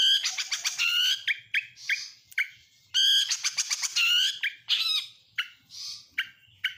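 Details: {'caption': 'Oriental magpie-robin, Kacer Nasional type, singing a song packed with imitations of lovebird, canary and prinia: loud bursts of rapid high chirps and whistled notes, broken by short pauses, with a steady swinging phrase repeated twice.'}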